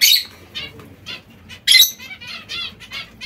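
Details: Zebra finches eating seeds and fresh salad in captivity; short nasal beeps spaced about half a second apart, with one strong, bright call midway.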